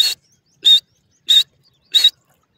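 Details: Teetar, the partridge, uttering four harsh, whistled-buzzy notes evenly spaced about two-thirds of a second apart, each brief and loud against a quiet background.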